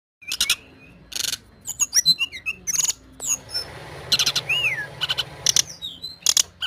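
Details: White-rumped shama of the Medan type, a kept songbird singing vigorously, offered as a lure to prompt other birds to sing: short bursts of sharp broadband clicks and harsh notes mixed with brief high whistles and one looping whistled sweep, separated by short pauses.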